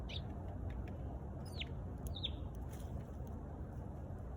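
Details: Sparrow calling with three brief, bright chirps, each dropping quickly in pitch, spaced about a second apart, with faint clicks and a steady low traffic-like rumble underneath.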